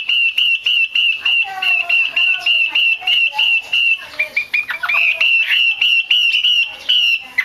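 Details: Calls of a female Chinese hwamei, used by keepers to rouse males into song: clipped whistled notes repeated roughly three times a second at an even pitch, with a brief burst of lower slurred notes in the middle.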